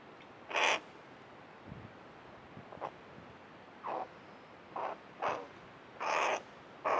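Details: A tame hooded crow lingers by its bird bath and utters a series of short, rasping croaks at irregular intervals, one loud and several softer, with a faint click or two between them.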